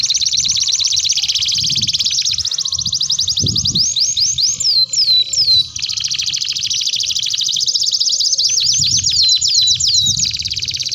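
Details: Canary master song for training young birds: a loud, long, continuous high trilled roll of rapid repeated notes, broken by a few slower sweeping whistled phrases, with faint low thumps beneath.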